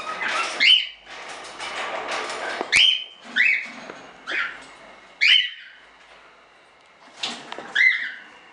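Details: Standard cockatiels kept by a small hobby breeder as show birds; loud rising whistled calls, each sweeping up and ending in a flat shrill note, repeated irregularly about every second with softer chatter between.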